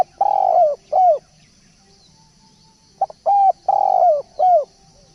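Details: Two phrases from a spotted dove used to attract others. Each has a quick pip, a steady coo, a longer burry coo and a final downslurred coo, about two seconds apart. Quiet background chatter of small birds.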